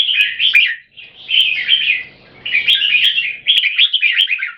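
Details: Competitive butir singing by two equally fierce Red-whiskered bulbuls, each trying to dominate the other. Short bursts of lively, slurred, chirpy phrases about a second long follow one another with small pauses.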